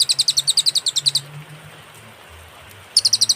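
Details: Clear cililin song with pauses, recorded as a master for teaching songbirds: a quick series of bright high chips for about a second, a short silence, then the chipping resumes.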